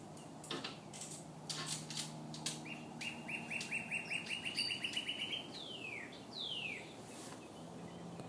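An Eclectus parrot gives a fast run of about twenty clipped, chattering notes, then two loud downslurred whistles, over a low indoor hum and clicks.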